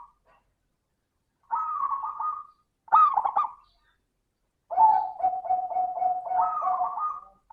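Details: Local zebra dove singing a crystal-toned lure song for other doves: a soft trilled note, a sharp stuttering burst, then a long even series of rapid coo pulses.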